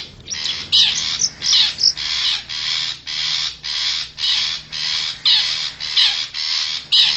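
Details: Long-tailed shrike of the forest, used to lure wild birds: steady sequence of rough, buzzy notes, roughly two per second, harsh and broadband.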